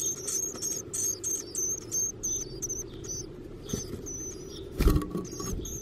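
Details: Black-capped chickadee nestlings begging for food in a backyard nest box: rapid, repeated high thin squeaks in quick bursts, fading to softer calls, with a loud bump toward the end.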